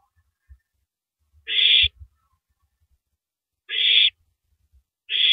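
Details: At 3:33 AM on April 9, 2012, an owl tearing at a large rabbit gives long raspy hisses, roughly two seconds apart, between soft low knocks and rustles.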